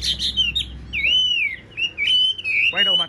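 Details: Caged, tame Chinese hwamei with a large body, fine face and blue eyes, singing in the evening: a fluid run of slurred whistled phrases rising and falling, then a short buzzy note at the end, with a voice murmuring in the background.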